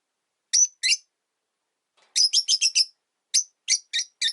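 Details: Rosy-faced lovebirds, three together in a single cage, one bird not accepting the newcomer: a double chirp, a pause, then a quick burst of five shrill notes and several more spaced chirps.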